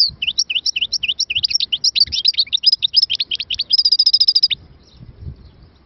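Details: Goldfinch in full song: a long fast stream of high, sharp, varied twittering notes, closing with a rapid evenly pulsed trill before falling silent, with faint low background rumble.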